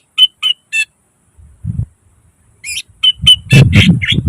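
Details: Cucak ijo, the greater green leafbird, in energetic 'gacor' song with 'nembak' and mimicry 'isian': three evenly spaced sharp chirps, a pause with a low rumble, then quick runs of chirps over low thudding background noise.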